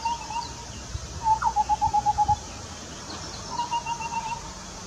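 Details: Indian scimitar babbler (Pomatorhinus horsfieldii) in the Western Ghats, India, hopping around a Coral Tree (Erythrina) and singing quick runs of low, hollow hooting notes against a soft background hiss.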